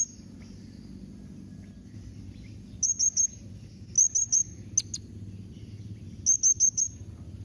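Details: Blue-crowned hanging parrot call series meant to make kept parrots answer. Three tight groups of three to four shrill, high, thin notes, with one sharp click between the first two groups.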